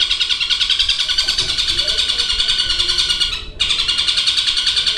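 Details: Long-tailed shrike in a cage performing its long mimicked phrases of kingfisher, fighting sparrow and lovebird chatter. A dense, fast rattling chatter runs continuously, about three pulses a second, broken by one brief gap near the end.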